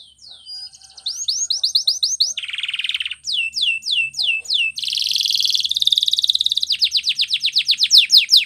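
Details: Canary training song: quick upswept whistles, a low buzzy roll, more rising notes, a long dense buzz, then a rapid run of repeated chirps.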